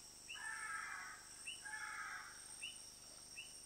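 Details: Hoatzin in Yasuni, Ecuador: two long, hoarse, wheezing rasps about a second each. Short, repeated upslurred chirps from another bird and a steady high insect drone run throughout.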